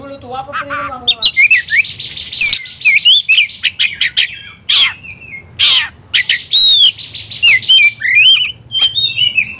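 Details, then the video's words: Oriental magpie-robin, a kacer stirred up to fight: low descending warble opens, then a long stream of high whistles, trills and sharp clicks with harsh bursts. "membakar emosi kacer, kacer gacor tarung ngobra"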